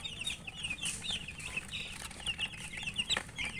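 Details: Chicks eating and chirping, rapid bright peeps in clusters with brief gaps, plus sharp pecking clicks near the end.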